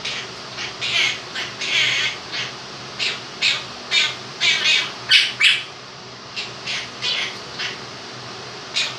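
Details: Indoor male Quaker parrot, two years old, performing 'If You're Happy and You Know It' as 'happy', 'clap your hands' and do-do-do: roughly twenty short rasping notes in phrases, one brief lull, steady fan hiss behind.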